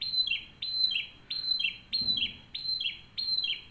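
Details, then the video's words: Canary singing a model song meant to train other canaries, with loud bright notes in a steady repeated pattern: each phrase starts with a sharp high note and slides down, about six phrases in under four seconds, with little background noise. "CANARY SINGING 11 | LAGU TERBAIK KENARI BISA BUAT MASTERAN / PANCINGA"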